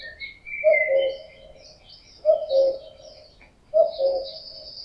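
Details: Summer chorus with a male common cuckoo in breeding season repeating its low falling two-note cu-coo three times at about 1.5-second intervals, while small birds chirp and trill at higher pitch.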